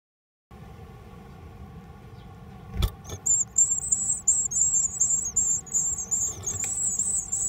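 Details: Japanese tit chicks in a nest inside a household mailbox, Japan, 13 May 2020: after a few knocks, a continuous high, thin chittering chorus begins and runs on, over a low hum.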